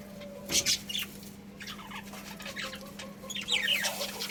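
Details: Budgerigars in a pet colony give soft scattered chirps and short warbled phrases, with a couple of sharper high notes early on and a low electrical hum throughout.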